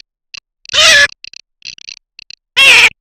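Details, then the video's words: Garganey call used for duck hunting: two strong harsh, nasal calls separated by about two seconds, with scattered quiet ticking notes in between. "صوت الحذف الصيفي (شترف)|| Garganey Sound"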